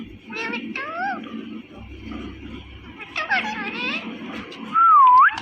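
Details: Mating sounds from an Indian ringneck parrot: wavering, nasal, meow-like calls in short bursts with pauses between, finishing in a loud, drawn-out whistle that dips and then rises.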